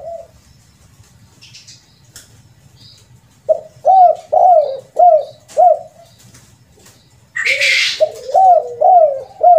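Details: Spotted dove giving the rare 'kuk 2' and 'kuk 3' ending call, used as a lure by bird trappers; series of soft hollow cooing notes repeated about twice a second in two bursts, with a brief rustling noise between.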